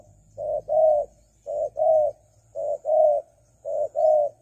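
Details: Lure call of a spotted dove for attracting wild birds: four evenly spaced pairs of soft hooting coos, a short note followed by a fuller, longer one, roughly once a second, with a low background hum.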